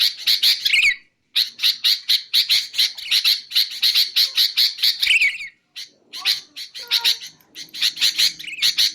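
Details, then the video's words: Sooty-headed bulbul recording for luring and song training: quick bursts of rasping chatter, each phrase ending in a falling slur, separated by two clear silences and followed by softer, scattered notes. "BURUNG KUTILANG untuk ocehan mantab"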